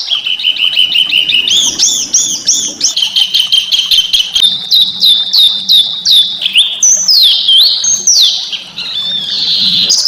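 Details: Small songbird song used as training material to stimulate white-rumped shamas: a varied, rapid run of high chirps and trills, with looping whistled slurs and swooping notes later on.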